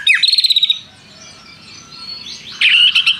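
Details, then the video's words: White-rumped shama giving a fast pulsed trill with a swooping whistle, a pause filled with faint background sound, then another loud rapid buzzy trill. "MURAI BATU GACOR ISIAN nembak prenjak tirrr panjang2"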